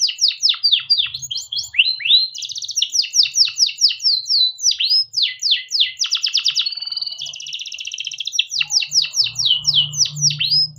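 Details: Domestic canary pouring out a long rolling song for tutoring young canaries: rapid whistled sweeps, machine-gun trills and a sustained buzz, with faint low hum near the end.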